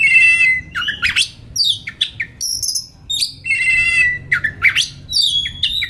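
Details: White-rumped shama singing calmly, recorded as a master for young forest birds in training; loud whistled phrases with buzzy trills, repeated in similar bursts about every three seconds.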